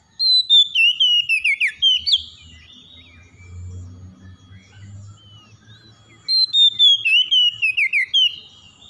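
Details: Oriental magpie-robin singing in the morning: two bursts of rapid, descending warbled whistles, about a dozen quick notes each, separated by a few seconds of low background hum.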